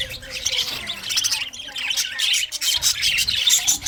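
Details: Chirping English budgie song, a busy stream of high twittering notes and harsh squawks layered together, rising and falling in brief bursts with little gap between them.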